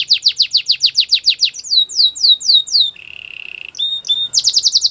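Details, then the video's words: A canary's Belgian-style song: fast series of loud downswept notes, then slower higher slurs, a soft low buzzing roll, two thin whistles, and a closing rapid trill. "The best canary singing video | Belgian canary song"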